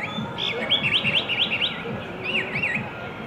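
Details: Blackbird singing in a Shanghai spring, March 2015: a rapid, wavering series of looping whistled notes, repeated in two bursts. A low, rhythmic pulsing noise runs underneath.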